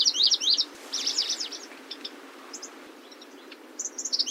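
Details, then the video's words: Grasshopper warbler (Locustella) giving quick clusters of swooping, high notes at the start and end, with sparse thin chips in between over constant background hiss. "Сверчок. Голоса птиц"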